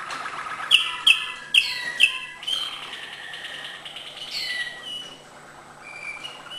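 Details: Malinois canary singing high, acute notes: four loud sharp clicks about half a second apart, then falling slurred notes and soft, gradually fading whistled trills.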